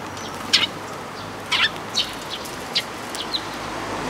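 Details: Sparrow at a Tenmangu shrine, recorded 14 May 2022: a handful of short, sharp chirps spaced about half a second to a second apart, with a soft steady background hiss.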